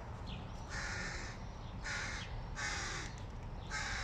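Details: Hooded crow nestlings, hungry and clamouring at the sight of their father bringing food, give four drawn-out, raspy, hoarse begging caws spaced about one second apart.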